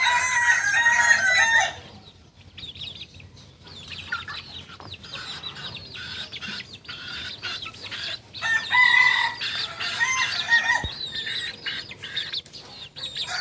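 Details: Rooster of the Kukuak Balenggek breed from Solok crowing around dawn, its layered harmonic crow opening the stretch, then a second crow midway, amid constant chirping of small birds.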